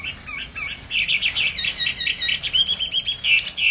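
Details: Caged songbird bought on 19 May 2020, fed regularly, pours out fast chattering, warbled phrases of high clear notes, growing louder and denser after the first second.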